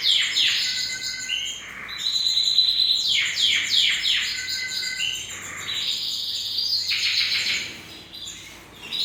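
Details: Canary song: fast repeated downward-sweeping notes in bursts, mixed with buzzy trills and rolling phrases, loud and continuous over nine seconds.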